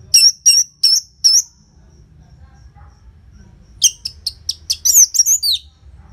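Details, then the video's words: Orange-headed thrush, a caged bird, singing loud song with short gaps used to prompt other caged birds to sing: four repeated high whistled notes with a falling tail, a pause, then a rapid burst of varied sharp notes and trills. "Pancingan & Masteran ANIS MERAH Gacor Jeda Rapet Suara Keras || Burung Macet Pasti Ikutan Bunyi."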